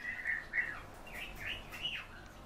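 Common house martin giving a run of soft, chirruping twitters, each note quickly bending up and down at a fairly high pitch; the background is quiet.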